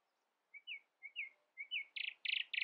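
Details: Early-morning song of a common nightingale that keeps other birds from singing louder than itself: three paired rising whistled phrases, then loud harsh buzzy trilled bursts, over faint background hiss.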